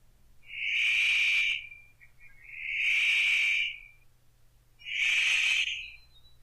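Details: An immature male Paradise Riflebird practising his mating display in northern New South Wales lowland rainforest gives three loud, harsh, rasping calls, each about a second long, spaced roughly two seconds apart, over a faint low hum.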